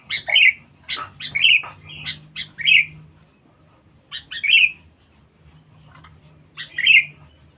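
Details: A loud, aggressive, highly vocal sooty-headed bulbul used as a trapping lure gives a cluster of fast chirping notes, then single rich gurgling phrases after pauses of one to two seconds, over faint low hum.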